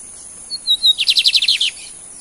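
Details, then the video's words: Lined seedeater from Brazil building toward its 'torneado' song style: a few thin high whistles, then a quick series of about ten buzzy pulsed notes, over a steady high electrical whine. "BIGODINHO AL CAPONE QUASE FAZ A ENTREGA DO TORNEADO!"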